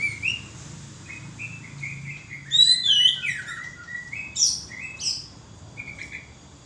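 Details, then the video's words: Oriental magpie-robin in active song, delivering varied whistled phrases: short rising notes, then a loud burst of sharp slurred whistles and high squeaky notes around three and four and a half seconds, with a faint low background hum. "Burung kacer gacor"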